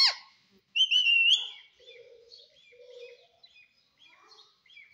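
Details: Green pet parrot giving a loud rising whistle, then softer scattered chirps and low murmuring notes.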